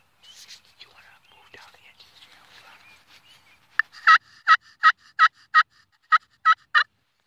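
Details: Soft, scattered chatter gives way to a wild turkey's run of about ten harsh yelps, repeated evenly near three per second.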